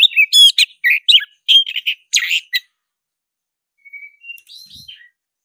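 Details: Oriental magpie-robin of the black-breasted form, in fighting song: loud rapid bursts of harsh chirps and short whistles for two and a half seconds, then silence and a few soft, thin whistles.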